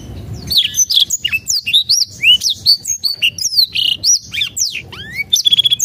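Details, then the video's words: Black-throated canary song intended to coax silent birds to sing, a dense, energetic string of high twittering notes and slurred whistles, ending in a rising sweep and a short rapid trill. "PANCINGAN BLACKTHROAT MALAS BUNYI"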